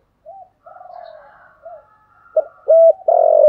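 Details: Spotted dove cooing in the 'thổ sấm' style to excite a decoy bird: soft wavering background coos, then a clipped note, a steady low coo and the start of a long rolling coo.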